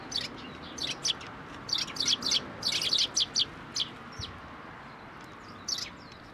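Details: Several sparrows coming to a fence post to be fed at a Tenmangu shrine on 21 April 2023, giving high, bright chirps in quick irregular clusters, densest in the middle, then scattered single notes, over a low steady background hum.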